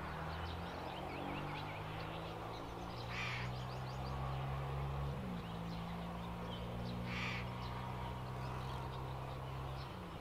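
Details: Indochinese roller (Coracias affinis), call.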